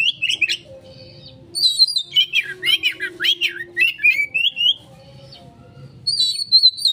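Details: Oriental magpie-robin lure song: short sharp whistles, then a run of rapid sweeping notes repeated about twice a second, a quiet pause, and a high warbled phrase at the end over a faint background hum.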